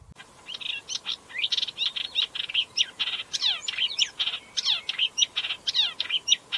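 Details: Upcher's warbler delivering a fast, unbroken stream of harsh, scratchy notes mixed with quick descending whistled slurs, at a steady middle-high pitch throughout.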